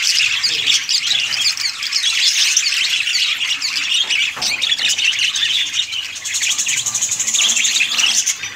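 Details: Breeding colony of budgerigars giving steady, overlapping high chirps, squeaks and warbling chatter throughout, with a buzzy, even trill toward the end.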